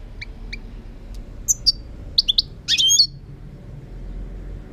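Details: European goldfinch song, 2018: soft paired chips, then high sharp notes building into a brief bright tinkling trill, with steady low background hiss.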